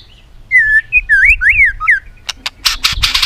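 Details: Caged white-rumped shama singing competitively, tail flicking: a rich whistled phrase of gliding, rising and falling notes, then sharp broadband clicks and tacking sounds near the end.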